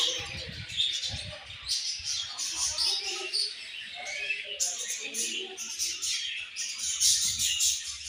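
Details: A group of budgies kept as pets chattering loudly, overlapping squeaky chirps and warbled phrases, with some soft low thumps at the start and end.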